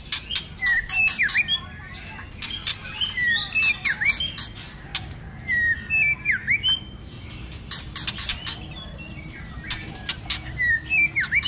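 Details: White-rumped shama fighting song, many voices, cold season: slurred V-shaped whistles and looping notes repeated at intervals, separated by dry crackling bursts and short quiet gaps.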